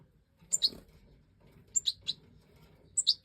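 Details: European goldfinch of the Major type, filmed in 2024 breeding footage: three quick bursts of bright, high, two-part chirps, each a thin upper note followed by a fuller lower twitter, separated by short silences.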